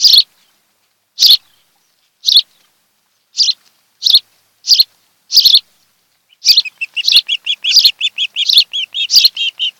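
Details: At their Kent Island, Maryland nest, a lifelong osprey couple is heard via nest cam on 26 July 2018: evenly spaced sharp chirps, then a quickening stream of thin whistled cheeps.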